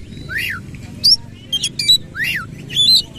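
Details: Rough, harsh song of a white-rumped shama with tail open: two clear inverted-V whistles framing sharp high chirps and short rasping notes, over faint low background hum.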